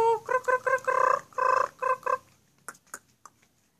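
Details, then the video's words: Rapid series of short, harsh, buzzy notes from a black-collared starling, about eight in quick succession, fading into quieter scattered clicks and taps. "KICAUAN MAUT JALAK SURE"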